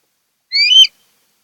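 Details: Osprey at a Kent Island, Maryland nest, August 2018: a single clear whistled note, slightly rising and ending in a sharp flick.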